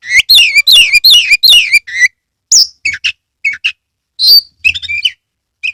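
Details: Caged Oriental magpie-robin in Kebumen, Central Java, in lively song with its tail fanned. A quick series of loud descending slurred whistles gives way to scattered short chips and a few high, thin notes.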